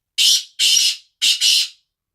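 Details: Kala tetar, the black francolin, gives a rasping, scratchy call. Two long harsh notes are followed by a brief pause and then a closely joined double note, clear and loud with no other sounds.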